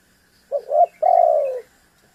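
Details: Single call phrase of a spotted dove meant to provoke a rival: a quick pair of rising hoots, then one sustained mellow coo tapering downward.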